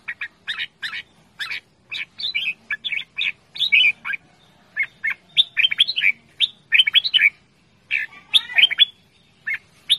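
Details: Red-whiskered bulbul calling loudly and playfully: a busy stream of short, bright chirps and slurred whistled notes in quick bursts, some rising and some falling, with brief gaps, over a quiet background.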